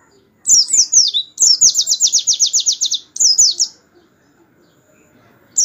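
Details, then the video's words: Canary singing a 'tembakan' style song used as a master recording for training white-eyes: a loud, fast trill of downward-sweeping high notes, about four per second, opening with short slurred phrases, then a pause and a final burst. "pleci tembakan kenari mantap buat masteran"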